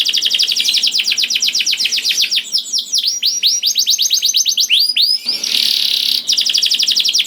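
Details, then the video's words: Canary in continuous song to get other canaries singing: long runs of rapid clipped high notes, a stretch of hooked swooping whistles, then a harsh buzzy trill and quick chips again. "KENARI GACOR DOR INI MEMANCING KENARI YANG SUSAH BUNYI JADI IKUT GACOR"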